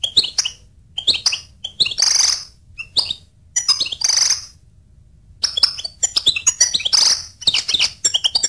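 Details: Goldfinch song made of quick liquid twitters and chirps interspersed with harsh buzzy wheezes, in phrases of one to two seconds with short silent gaps between them.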